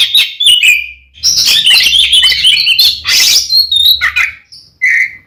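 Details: An oriental magpie-robin sings a loud, busy 'ngeplong' fighting song aimed at angering another male. It pours out a long dense jumble of harsh, chattering notes and whistles, ending with a falling whistle, over a faint low hum.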